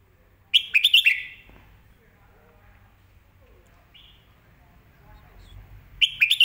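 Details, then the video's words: Red-whiskered bulbul master song for teaching young birds: a short burst of warbled whistles at the start, a faint brief note midway, and another clear burst at the end, with low background hum. "สำนวนแม่บท"ร้องชัด สอนลูกนกอยู่บ้านติด100%"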